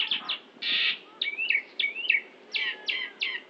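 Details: Central Java Asian pied myna singing a full fill-in song, mimicking white-rumped shama, orange-headed thrush, canary, prinia and Bali myna: short bursts of bright, harsh chatter and rising, slurred whistles, quickly alternating, with several clipped notes at the end.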